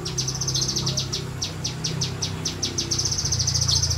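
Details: Semi-wild kinoi bird delivering a steady stream of quick, high, dry ticking notes, evenly spaced and continuing throughout, over a low background drone.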